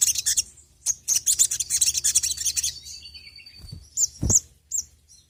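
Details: Brown-throated sunbird (sogon) lure song: a rapid burst of high buzzy chirps, then a thin sustained whistle and a few sharp arched notes, with low background rumble.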